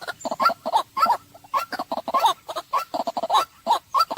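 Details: White-breasted waterhen: a rapid series of harsh, clucking notes repeated several times per second, each a short burst with a strong ringing tone, carrying on almost without pause.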